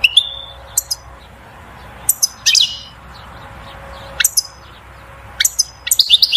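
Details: European goldfinch giving batbata song meant to stimulate the female to mate and build a nest; sparse, sharp high chips and short buzzy notes scattered across the stretch, separated by quiet gaps over a faint steady hum.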